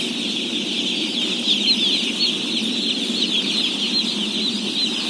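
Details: Roughly 17,000 day-old chicks calling while fed, a steady high-pitched sea of peeps with a few brighter chirps rising out of the mass midway.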